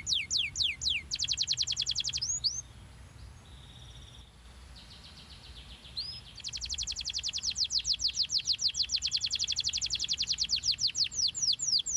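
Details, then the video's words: Canary song for encouraging young canaries to sing, starting with downslurred notes and a quick trill, a quieter pause with soft whistles, then a long steady high rolling trill to the end. "pancingan ampuh kenari paud agar cepat gacor dan ngeroll panjang"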